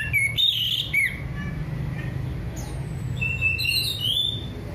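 An orange-headed thrush sings varied, sweet whistled phrases with scratchy notes, in bursts separated by brief pauses, over a steady low hum.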